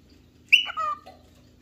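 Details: Single cockatiel call from a bird looking for a partner or playmate, a loud screechy high note dropping into a lower held tone, with a soft short note after.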